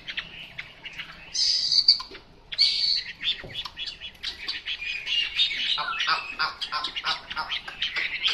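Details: Chinese hwamei in full song: loud, rich, varied phrasing with two high sustained whistles, a short pause, then a long rapid run of chattering and trilled notes that keeps changing pitch.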